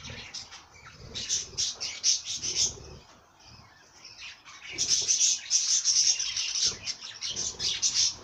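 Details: Singing bird giving quick, high chirps in bursts about three per second, with sharp whistled accents and a short lull before the chattering resumes.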